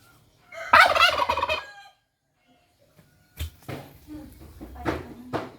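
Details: Lone domestic turkey, aggressive and wanting a mate, lets out a loud rattling gobble, falls silent, then gives shorter broken gobbling calls and low grunts.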